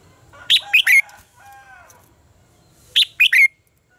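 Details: Red-whiskered bulbul competitive song used as a lure for training: a crisp three-note phrase, a faint soft whistle in between, then a matching three-note phrase ending with an upward-sliding whistle.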